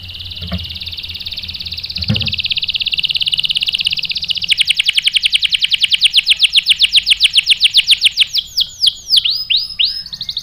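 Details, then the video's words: Canary singing, with a female used to provoke the male into song; a long rapid trill of repeated notes between two and five kilohertz speeds up, then breaks into slower, sweeping downslurred whistles near the end. "PANCINGAN KENARI GACOR bikin EMOSI jadi NYAUT GACOR NGEROL | CANARY SINGING"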